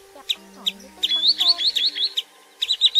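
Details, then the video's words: A Common Greenshank lure recording for night netting of migrant birds gives ringing high notes repeated quickly, then a fast run of rising, slurred whistles, over a faint low steady hum. "Tiếng Choắt Bụng Trắng"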